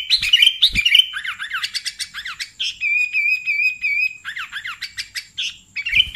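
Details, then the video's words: Sooty-headed bulbul calls meant to lure bulbuls in for trapping: a busy run of sharp chirps, quick down-slurred notes and a wavering, warbled tone, almost without pause. "SUARA BURUNG Kutilang Pikat"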